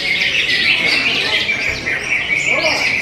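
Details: A short burst of cucak hijau song: a thick wash of fast high chirps and trills over a steady thin tone, ending with a few quick ascending whistles.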